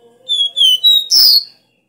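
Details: Caboclinho (copper seedeater) singing the strong three-note 'dó ré mi' song used to stimulate caged birds. A sequence of sustained high whistles closes with a harsh buzzy note. A faint low steady tone sits underneath.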